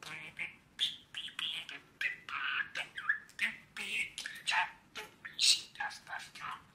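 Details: A five-year-old male pet budgerigar warbles in a busy stream of chirps, squawky notes and chattering bursts, singing and dancing on Mother's Day (10 May 2020).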